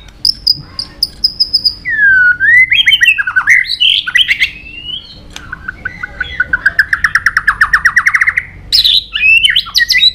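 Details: Fighting song from a white-rumped shama: long high whistles, a rising slurred phrase, then a fast rattling series of repeated notes and a final burst of twisting whistles.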